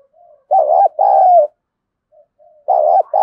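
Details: Harsh-voiced decoy spotted dove in the thổ sấm style, taunting wild doves; soft lead-in murmurs, then two strong low coos, another quiet murmur, and a fresh coo pair starting at the end.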